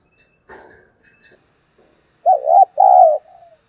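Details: Spotted dove coo used as a lure for other doves: after scattered faint notes, two loud low hooting coos, the first wavering, the second longer and steady, then a soft trailing note.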